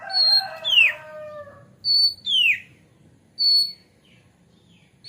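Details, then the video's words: White-rumped shama lure song: a rasping harsh phrase, then clear high whistles dropping into steep downward slurs, repeated at spaced intervals. "SUARA PANCINGAN KACER AGAR CEPAT GACOR DAN BUKA EKOR"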